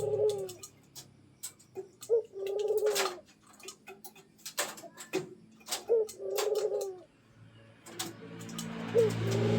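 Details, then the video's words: Captive pet zebra dove coaxed into calling nonstop: three low cooing phrases, each a brief upswept note followed by a drawn-out wavering coo, separated by loud clicks and knocks, with a faint hum underneath. "PUTER PELIHARAAN, DI PANCING BUNYI TIADA HENTI"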